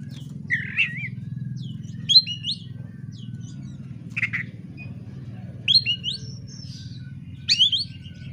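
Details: Oriental magpie-robin song meant to provoke a rival into fighting: scattered short, squeaky, high whistled phrases and twisting slurred notes every second or two, over a constant low background hum.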